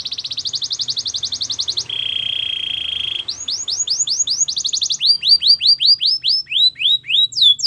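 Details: Belgian canary training song, warming up for females: fast high trills, a low buzzy roll, then varied tours of slurred descending whistles repeated in quick series.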